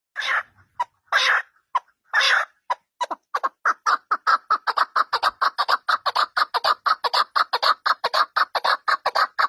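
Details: Partridge kept at home; a few loud, harsh notes open, then a fast, steady run of short, rasping chattering calls repeated about twice a second, close and clear without other sounds.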